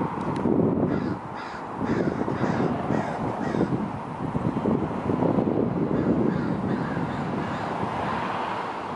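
Several American Crows caw harshly and nearly without pause, loud grating calls overlapping in rapid bursts as they mob a predator, with light wind noise.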